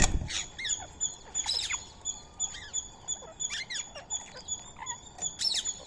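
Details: Indian ringneck parakeet eating soaked rice and corn meal with a squirrel nearby; short harsh broadband squawks come in bursts a couple of seconds apart, over a continuous high pulsing background tone.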